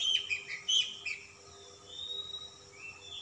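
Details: Oriental magpie-robin in insistent puffed-up song: loud bright chattering notes and sharp whistles at first, easing into long, soft, level whistled tones; faint electrical hum throughout.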